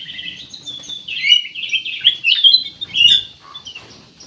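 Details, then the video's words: Ruby-throated bulbul, used to prompt other birds to sing, delivers a fast continuous jumble of bright whistled and chirping notes, loudest in the middle, trailing off into soft chirps. "CUCAK EMAS \ KUTILANG EMAS GACOR, BUAT PANCINGAN"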